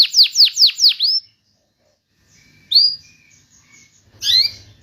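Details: Canary singing to prompt silent canaries: four quick falling whistled notes, then pauses broken by a couple of short upward chirps.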